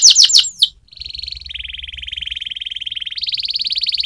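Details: Canary training song opening with three loud falling chirps, then a long buzzy rolling trill that steps up in pitch near the end.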